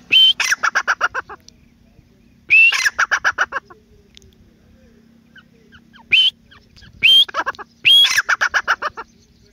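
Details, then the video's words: ['Grey francolin (teetar) call series with pauses: harsh rising opening notes followed by rapid clipped staccato notes, several phrases spread over nearly ten seconds, with a faint low steady hum beneath.'] "Teetr birds sound, Francolin birds Sound"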